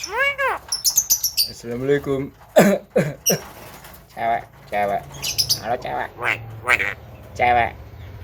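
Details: Javan myna (jalak kebo) imitating talk: a string of syllable-like arched harmonic notes and clipped bursts at irregular intervals, resembling phrases of human speech, with a low hum and soft background music.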